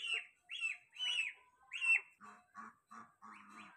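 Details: Goslings crying as they look for their mother: a run of loud, clear peeps that arch up and fall, about one every half second, followed by lower, nasal, rasping calls.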